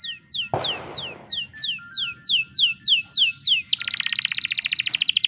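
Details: Canary performing a series of evenly spaced downward-sweeping whistles, interrupted by a brief rustling noise, then switching to a fast chattering trill; recorded as a master song to spur other canaries into singing.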